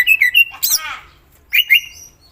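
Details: Greater green leafbird giving quick bright whistled notes, a harsh buzzy burst, then two more sharp whistles after a short pause.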